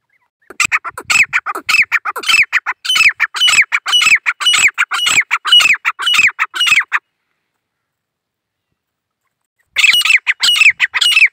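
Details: Grey francolin female, dakhni teetar from India, calling in the jungle; fast series of loud, shrill, scratchy notes repeated nearly twice a second, breaking off into silence before a second burst starts.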